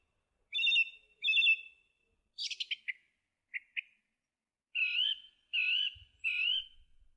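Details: Singing song thrush repeats a fluty phrase twice, adds a scratchy chattering figure and a short note given twice, then a mellow warbled phrase three times; faint low rumble near the end.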